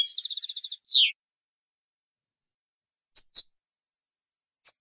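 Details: Goldfinch copia malaga tutor song, 2020, meant for teaching young birds: a one-second buzzy nasal trill ending in a falling slur, followed after a pause by a few isolated sharp high chips.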